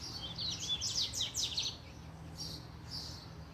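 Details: Double-collared seedeater stirred up by a female, a short burst of fast high whistled and slurred notes followed by fainter twittering, with a low hum in the background.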